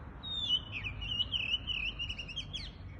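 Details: Bird singing in rural surroundings: one continuous, high, slightly wavering whistled phrase about three seconds long, ending in sharper rising flicks, with faint low outdoor noise.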